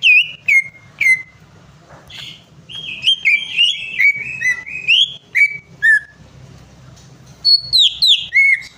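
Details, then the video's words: A greater green leafbird's varied song, used to coax a stubborn bird into singing: strong downslurred whistles, a rambling mid-pitched warble with quick chips, and clear ringing notes at the close. "PANCINGAN CUCAK IJO MACET PARAH"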